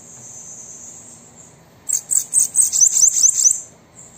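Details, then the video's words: Bananaquit song played to prompt a kept bird to sing: a thin, very high buzzy series of about nine quick notes, rising in intensity over under two seconds, after a faint steady high hiss. "Sibite canto para estimular seu Sibite a cantar"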